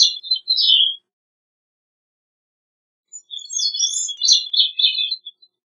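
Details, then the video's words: Song of a Gray-cheeked thrush, Catharus minimus: a brief descending fragment, a long silent gap, then a thin, reedy phrase of jumbled high whistles that wavers and drops over about two seconds. "Gray-cheeked Thrush Singing, Sound, Calling, Chirp - Zorzalito Carigrís Cantando - Catharus Minimus"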